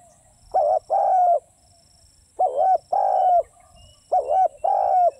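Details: Three evenly spaced cooing phrases from a spotted dove, each a clipped two-part coo and then a longer hollow note that slides slightly down at its end. The background is quiet.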